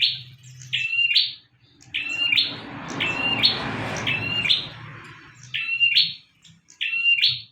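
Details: Energetic song of a bar-winged prinia used to train cage birds: a run of six sharp buzzy phrases, each a level trill snapping upward, with a brief rustling noise in the middle and a low background hum.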